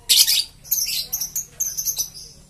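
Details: Green series lovebird giving rapid, high-pitched, scratchy chirps and twitters in quick irregular bursts, a loud squeaky burst first and then softer rapid notes, against quiet background.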